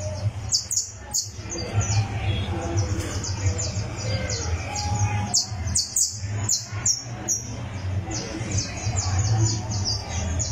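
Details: Criollo canary warming up on a tournament perch, pouring out long runs of sharp, high, evenly repeated notes in quick trills, with brief breaks, over a constant loud low-pitched hum.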